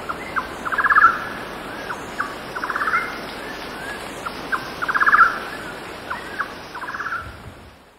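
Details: Golden-naped barbet repeating a pulsing song at 6,000 feet: quick rattled trills that rise in volume, alternating with paired single notes, roughly every two seconds, over windy background with cicadas and distant birdsong.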